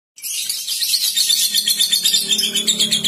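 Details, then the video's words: Lovebird giving its long ngekek song, a rapid high-pitched chattering trill that starts abruptly and continues without a break, pulsing about four times a second. "PANCINGAN Tercepat Bikin Lovebird NGEKEK | NGETIK Ngekek Panjang"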